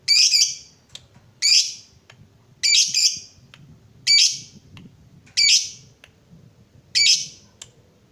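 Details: Lovebird calling, recorded to stimulate other lovebirds into ngekek song: six loud, rasping, high squawks repeated about every one and a half seconds over a faint low background hum.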